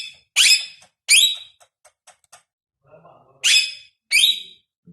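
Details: Talking Pakistani ringneck parrot in a small room, giving loud, raspy, high-pitched word-like bursts in two pairs about a second apart, with faint ticks and a low voice murmuring between them.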